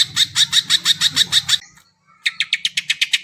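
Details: Greater green leafbird, sound for getting non-singing birds going: about nine sharp repeated notes, a short gap, then a second quick series of similar chips, with a low hum beneath.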